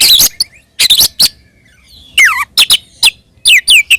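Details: Short stretch of an Oriental magpie-robin fighting song used to provoke rivals: scratchy bursts, a long downward-sliding whistle and a few sharp descending chirps.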